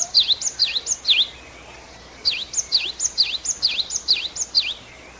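Great Tit singing high, ringing two-note phrases, a quick bright pair repeated about twice a second in two bursts, over a faint steady hiss.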